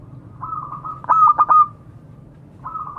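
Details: A local zebra dove gives one sharp phrase of three or four fast cooing pips, calling to others. Soft rolling trills come just before it and resume afterward.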